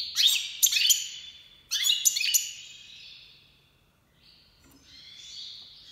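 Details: Iranian goldfinch (major) singing in breeding season 2022: rapid runs of bright twittering, chirping notes in several quick bursts, then softer warbled twitters.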